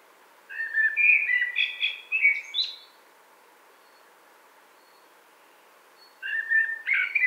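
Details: A common blackbird, recorded in Wittlich in 2018, sings a fluted, warbling phrase that rises into higher twittering notes, then pauses about three seconds before starting another phrase; faint background hiss.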